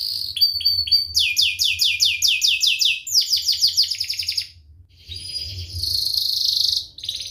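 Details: Canary song for training young birds: short chirps, then a series of loud repeated downswept whistles, a faster rattling phrase, a short gap, and a long dense buzzy roll.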